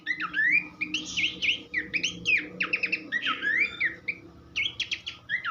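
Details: Horsfield's babbler song meant for tutoring songbirds: mixed rising whistles, buzzy slurs and rapid trill bursts in continuous lively phrases, with a short lull near the end.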